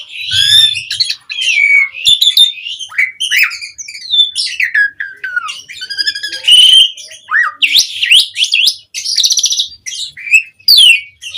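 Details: Mompa-style song of an Asian pied starling, used to prompt other birds to answer: a long, varied medley of down-slurred whistles, squeaks and harsh buzzy notes, delivered in short bursts with brief pauses.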